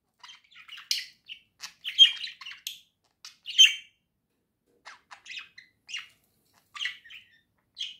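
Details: Two budgerigars kept as pets chirp merrily, with short scratchy tweets and chatter in loose groups, louder bursts near the second and fourth seconds, then softer, spaced chirps with quiet gaps.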